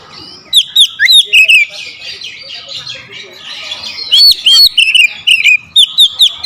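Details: Aggressive song of a provoked oriental magpie-robin facing a rival: rapid bursts of loud whistles with clicking ticks, a softer warbling passage, then more sharp sweeping whistled notes.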